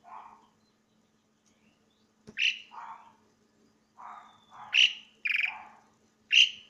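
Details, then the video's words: Asian pied starling singing loudly: a varied, irregular run of short whistled and slurred notes, some low and mellow, others higher and sharper, in loose phrases with pauses between, over a faint steady hum. "burung jalak suren bersuara nyaring"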